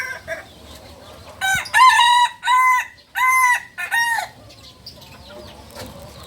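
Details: Beginner Balenggek cockerel, native fowl from Solok in West Sumatra, gives a loud segmented crow: a brief opening note, then four or five strong, evenly pitched syllables separated by short gaps, ending in quieter background.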